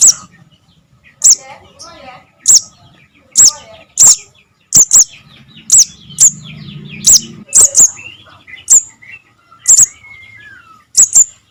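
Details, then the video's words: Javan cuckoo chick calling, a sound used as a lure for trapping birds: sharp, very high, short piercing notes repeated at uneven intervals about once a second, with faint softer chirps and a low hum in the background. "SUARA ANAKAN BURUNG SOGON - SOGOK ONTONG TERBUKTI AMPUH UNTUK PIKAT"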